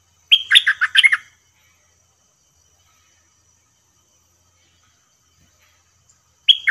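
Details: During a trapping session with a decoy, a stripe-throated bulbul gives a brisk burst of bubbly, chattering notes lasting about a second. Several seconds of quiet follow before another sharp phrase starts at the end.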